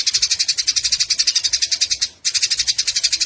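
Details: Eurasian tree sparrows fighting, giving a fast, harsh chattering: dense, evenly spaced high notes, roughly eight per second, running continuously with one brief break near the two-second mark, then resuming at the same pace.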